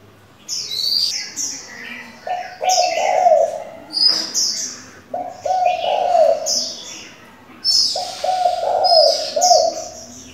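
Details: Spotted dove used as a decoy, switching call voices to lure wild doves and train young ones; low, hoarse coo phrases repeat about every two and a half seconds, mixed with high chirping from small birds.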